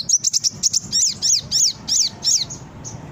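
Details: Brown-throated sunbird song meant to prompt captive birds to respond: rapid high chips at first, then five loud arched buzzy notes about every third of a second, ending with thin high tones.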